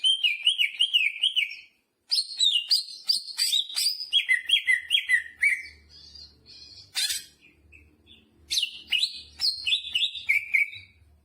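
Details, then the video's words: Full, lively song from a greater green leafbird carrying jamtrok phrases, wavering looped whistles repeated in series, sharp high chips, and quieter passages over a soft low hum. "Burung cucak hijau gacor istimewa full muntah isian jamtrok"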